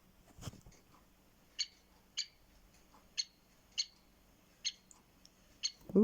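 Great Spotted Woodpecker giving six sharp, high 'kik' notes, spaced roughly every half-second to a second, with a soft thump at the start and a rustle at the end.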